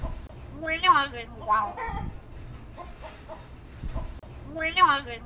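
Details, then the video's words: Common hill myna kept as a pet, mimicking human words such as "good morning": several harmonic speech-like syllables spaced through the recording, the phrase repeated near the end, with faint background hum. "My bird speaking "Good Morning" -:- นกขุนทองพูด Good morning"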